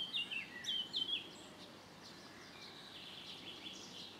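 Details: A young common kestrel at a nest 20 m up a keep in France, during an in-flight food pass, gives a quick burst of four shrill, down-slurred notes in just over a second, then falls silent over a soft outdoor hiss.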